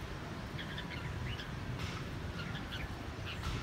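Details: Caged red-whiskered bulbul from Quảng Nam, Vietnam, a raw, untrained bird kept six months in a cage, giving short clusters of bright, chirpy notes in scattered bursts over a steady low rumbling background.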